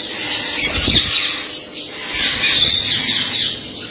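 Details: Blue-headed rainbow lorikeets give harsh, shrill screeching squawks in a near-continuous, overlapping chatter, with a brief low thump partway through.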